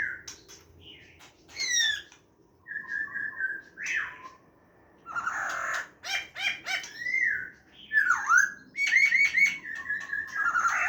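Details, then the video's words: Laughingthrush delivering wild-style song, dated 29 September 2023: a string of varied whistled phrases separated by short pauses, including sharp high notes, level whistles and a V-shaped swooping slur near the end. "khướu hàm rồng hót giọng rừng"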